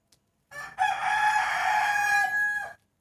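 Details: Rooster crowing in the early morning just before New Year 2020: one long, loud, harmonic-rich crow lasting about two seconds, held steady at a fairly even pitch before cutting off, with otherwise quiet surroundings.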